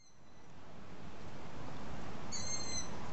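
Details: Young long-eared owls begging well after sunset while being fed by their parents give two thin, high, squeaky calls like a rusty gate, over a steady low rumble of wind or traffic.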